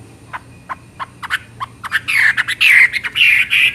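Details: Chinese hwamei song building from sparse sharp clicking notes into loud, rich, varied whistled phrases that slur up and down, delivered in quick succession toward the end.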